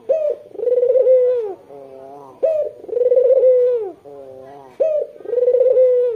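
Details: White red-eyed Barbary dove calling loudly as a lure for local doves: a sharp rising note, a long rolling coo, then a soft low purr, repeated three times about every two seconds.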